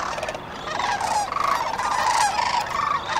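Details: Flock of sandhill cranes calling at dawn on the Cosumnes River, with overlapping rattling, trumpet-like calls from many birds rising and falling in a busy, unbroken chorus.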